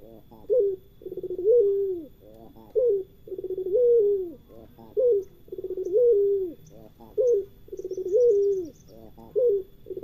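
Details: Island collared dove of the pelung type cooing: a short clipped coo followed by a longer rolling, purring coo with a drooping end, the pair repeated about every two seconds; faint high chirps briefly in the background.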